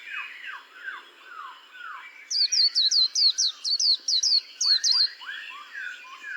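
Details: White-eye singing: faint descending whistles at first, then a rapid run of about eleven sharp, high, down-slurred notes, followed by lower slurred whistles.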